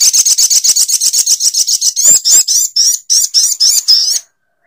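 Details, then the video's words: Little spiderhunter delivering a long, rapid series of piercing high chips, about four each second, that loosen into slightly spaced, wavering notes before stopping abruptly. "Suara Burung SOGOK ONTONG"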